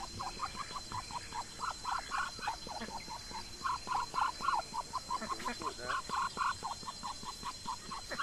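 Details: Muscovy ducks grazing in a garden; dense, rapid quacking notes run on unevenly, a louder cluster in the middle, with a thin steady hum throughout.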